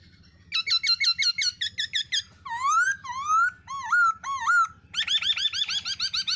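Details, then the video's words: Female black-throated laughingthrush calling 'ro ro' beside a male's shrill notes, aimed at exciting other laughingthrushes into song; quick squeaky series, then rising looped whistles, ending in fast repeated high notes over a low hum. "Khướu Mái Ro Ro Kèm Trống Rít"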